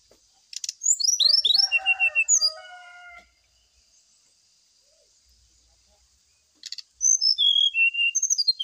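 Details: Brown-chested jungle flycatcher lure song for use while the bird is set out in the morning dew; fast high trills and sliding whistles, a low harmonic crowing-like phrase, silence, then another burst of varied whistled notes.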